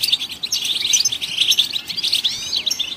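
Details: Goldfinch song, sung to stimulate other songbirds, as a fast, liquid run of high chirps and twittered trills with short rising slurs, unbroken and bright.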